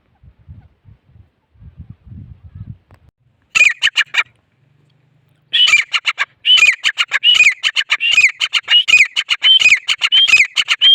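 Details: Grey francolin calling: after a few seconds of soft low rumbling, loud harsh squeaky notes begin, then settle into a fast repeated rhythmic series of strident, slightly rising calls in regular phrases, continuing to the end.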